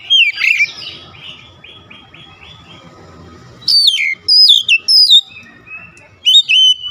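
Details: Oriental magpie-robin song used to stir up a magpie-robin: an opening bright whistle, a soft rapid chattering trill, then loud clear descending whistled phrases spaced about half a second apart.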